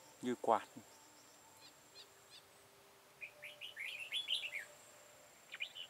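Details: Decoy red-whiskered bulbul during a trapping session on 13 October 2018: a man speaks briefly, then after a pause the bird gives a run of bright, rising and falling warbled notes, and a short final phrase.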